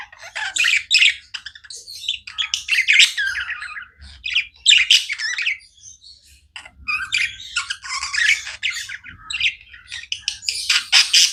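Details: Pet budgies keep up a busy chirping chatter, bursts of scratchy warbles, squeaks and clicks with brief lulls, loud and close throughout.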